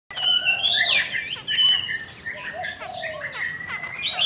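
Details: Female Chinese hwamei of the da bò type, kept caged and said to strongly excite male birds; loud clear whistled phrases, rising then falling, with short warbled notes, over steady chirping of other small birds nearby.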